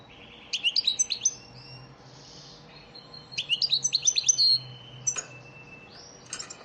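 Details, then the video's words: Elmacık European goldfinch lesson song for teaching caged birds, with two fast bursts of liquid twittering and tinkling high notes, then scattered sharp chirps and a thin drawn-out whistle. "elmacık saka ders ötüm dersi"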